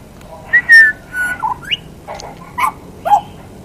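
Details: A friendly butcherbird calling out for its dinner gives a run of clear, fluty whistled notes, some sliding up or down, about five phrases in three seconds against a quiet background.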